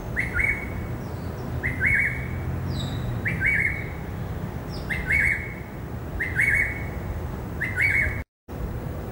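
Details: Greater racket-tailed drongo in a herb garden, Saturday afternoon of 16 December 2017, repeating short upslurred whistles that flatten into a steady tone, roughly every one and a half seconds, with scattered thin higher chirps and a short dropout near the end.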